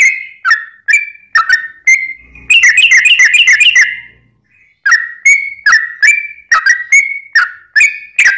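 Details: Long-trilling Sooty-headed bulbul song used as a lure to make other bulbuls answer: repeated slurred whistled phrases, broken mid-way by a dense burst of rapid chattering notes before the whistles resume.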